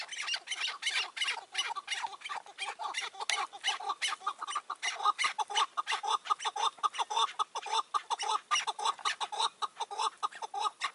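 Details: Decoy and wild chukar partridges in May 2024, an old wild partridge hanging back from the roof trap: fast, chattering chuk notes in a steady stream, about two per second, several birds overlapping.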